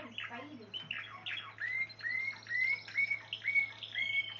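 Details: Spanish Timbrado canary singing: a few quick slurred notes, then a series of clear, upward-curving whistles at about two per second, over a steady low hum.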